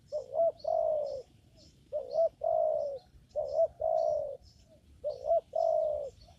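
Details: Spotted dove heard while birds are trapped in a papaya garden, giving four repeated phrases, each a brief rising double note followed by a longer mellow coo, spaced about every one and a half seconds; thin high chirps from other birds behind.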